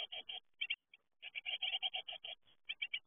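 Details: Great tit fledglings give high, sharp chirps in quick bursts, with a short silent gap early on, then a fast run of calls and a few final chirps.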